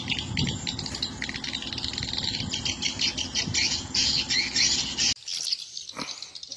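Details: Swiftlet lure sound for swiftlet farming in Indonesia, the 'sp rambut lmb original' type: a dense, continuous mass of high, buzzy twittering chirps from many birds, over a low rumbling background that drops away near the end.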